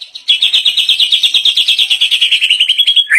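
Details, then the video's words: White-rumped shama performing a rapid trill of about two dozen identical clear notes, steady in pitch and then dropping slightly at the end, after a brief soft opening note. "perdana murai bongkar isian mewah"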